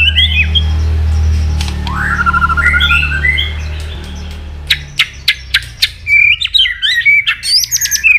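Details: White-rumped shama in fighting song meant to provoke: a steady low hum and faint whistles at first, then sharp clicks and rapid high whistled phrases toward the end.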